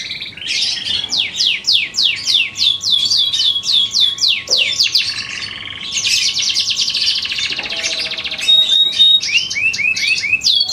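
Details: Caged canary of the variety known as Darah Biru singing a long varied song: rapid trains of down-slurred notes, a dense buzzy rattle in the middle, then quick trills and sweeps, with faint low hum behind.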